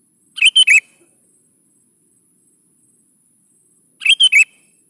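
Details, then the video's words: Sooty-headed bulbul in full song, played as a lure so young bulbuls answer and sing: two loud three-note phrases, bright and slightly slurred, about three and a half seconds apart, with near silence between. "PANCING SUARA BURUNG KUTILANG GACOR SATU INI"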